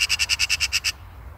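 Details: Eurasian magpie rattling a quick, harsh chatter: nine evenly spaced, grating notes in under a second, followed by silence.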